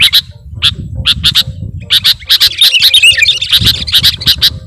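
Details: Kutilang (sooty-headed bulbul) singing a lure song rich in imitations: spaced sharp high chips at first, building into a rapid, jumbled twittering flurry and then fast repeated notes, with low background rumble.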